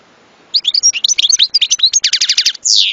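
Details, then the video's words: European goldfinch delivering a lively run of high twitters, a rapid rattling trill, and a closing harsh buzzy note. "صوت حسون لن تنساه طوال عمرك"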